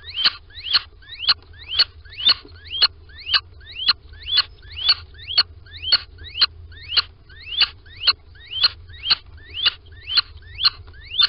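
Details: Morning at a Sprundel nest box, 13 February 2020, where two little owls go inside; a long run of rising, piping notes, roughly two per second, each sweeping sharply upward, with faint low hum beneath.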